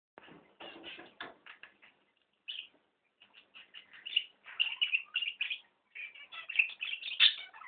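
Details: A pet budgerigar playing with his swing, recorded on a phone, chatters in rapid, scratchy bursts and bright squeaky notes, with a few clicks near the start.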